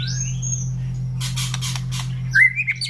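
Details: White-rumped shama in captive care singing in the open ngeplong style: clear drawn-out whistles, then a burst of sharp broadband chips and a final rising whistled phrase, over a steady low mechanical hum.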